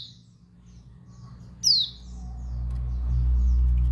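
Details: Calls of a female Dakun Bali white-eye, used to trigger aggression and desire in males: faint high notes, then one loud, steeply descending chirp, with a low rumbling background growing louder.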